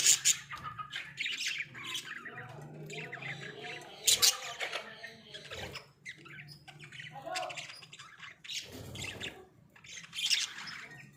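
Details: Caged pet Australian budgerigars chattering in a small cage: uneven harsh squawks and scratchy chirps scattered across the stretch, with softer warbled notes between and faint voices in the background.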